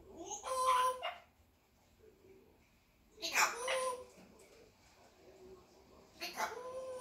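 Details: A 20-month-old red-tailed African grey parrot named Nacho talks in three short, voice-like bursts about three seconds apart, mid-pitched with raspy, whimpering tones between quiet pauses.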